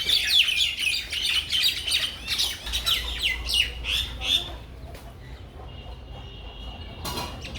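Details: Bangladeshi village mynas give a run of harsh, rapid squawks and chirps for about four seconds. The chatter then fades to faint background sounds, with a single sharp click near the end.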